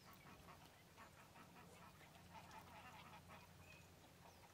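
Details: Eurasian teal (Anas crecca) at Izliv Soče nature reserve, Slovenia, 4 January 2024, giving rapid, overlapping short calls with a few brief whistles, about two or three a second, over a steady low hum.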